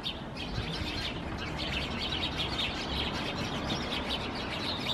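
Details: A group of house sparrows sheltering in climbing plants, Helsinki, Finland, September 2021, keeps up dense, overlapping chirps and cheeps without a break, with low environmental noise beneath.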